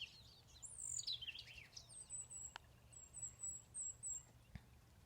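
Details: Black-crested Titmouse at a home in Dripping Springs giving very high, thin calls: a few sweeping notes, then a quick run of six short, even notes, over a low rural hum; a 'chick' call is noted at the beginning and end.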